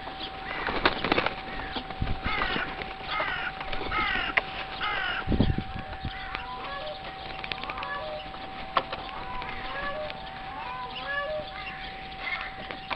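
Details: Crows at a zoo on Pentecost Sunday morning giving a run of harsh, rasping caws in quick succession early on, then softer scattered calls, with a thump midway, a steady hum and other birds' short notes.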